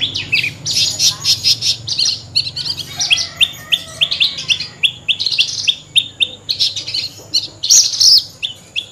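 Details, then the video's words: A Horsfield's bush lark, a rare songbird of dry stony ground, sings a fast, unbroken stream of high chirps, trills and sharp twittering notes, varied and jumbled with barely a pause. "Burung branjangan gacor lagu mewah"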